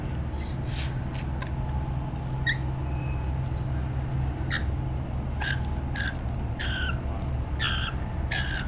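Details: Lorikeets in a neighbourhood, unsettled by young hatched around June and displaying to each other and to a person to re-establish social hierarchy, give harsh, grating screeches in short bursts over a steady low droning hum.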